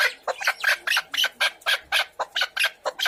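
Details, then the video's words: Chukar partridge giving loud, rasping repeated notes, each a short burst of about a quarter second, coming in a steady, insistent run with small gaps between them. "Беҳтарин кабк овозшда гап нест"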